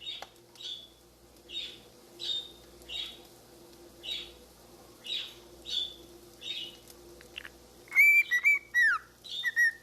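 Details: A cockatiel gives repeated short chirps, then breaks into clear, tuneful whistled notes copying the Andy Griffith Show theme.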